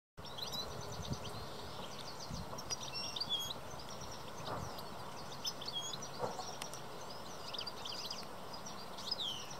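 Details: A European goldfinch (Carduelis carduelis) gives its courtship song, a fast, tinkling run of high twitters and buzzy trills, over a steady low rumble of wind or distant traffic.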